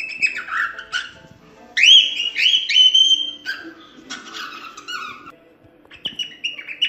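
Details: Cockatiel whistling: arched notes, then a long wavering whistle phrase, fainter buzzy notes and a few short whistles at the end over low room noise.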